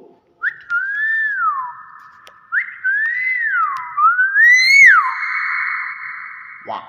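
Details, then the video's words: Talking common hill myna, said to greet guests with assalamualaikum, giving three loud whistles that rise then sweep down, each ending in a held tone, with people speaking nearby. "Ajaib beo bisa zikir"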